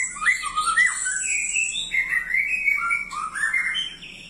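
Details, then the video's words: White-rumped shama singing loud, varied whistled phrases that swoop up and down in pitch, mid-range notes joined by slurs, over a steady high-pitched hiss running throughout. "BURUNG MURAI"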